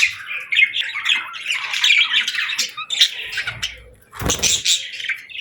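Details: Chirping parakeets keep up a raspy, twittering warble of high notes that fades, then a sudden broad rustling burst before the chatter returns.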